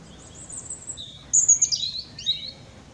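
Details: Song of a European robin perched in a tree near Clatto, Dundee: soft high notes give way to a sudden loud, piercing, tumbling phrase of sliding whistles and trills, then a few quieter warbled notes; faint low background noise.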